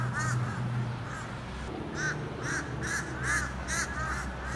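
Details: A mob of fish crows harassing a building on 14 October 2020 gives short, nasal, cawing calls, about two per second and often overlapping from several birds, over a steady low rumble.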